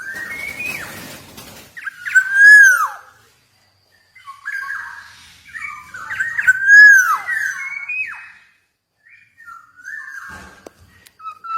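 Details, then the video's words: Black-naped oriole, Javan golden form, singing strongly. Mellow whistled phrases, each ending in a loud down-slurred note, come in two main bursts. A brief scratchy noise opens the passage. "KEPODANG EMAS JAWA GACOR"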